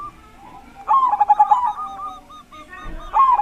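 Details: Big-voiced zebra dove whose singing is meant to get other zebra doves calling. Two loud, rapid, bubbling coo phrases of quick pulses, with a faint run of softer coos between them.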